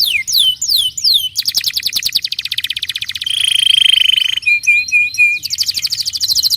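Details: Canary song for prompting other canaries: falling whistled swoops, a fast pulsed trill, a sustained buzzy rattle, then short repeated chip notes and another quick trill.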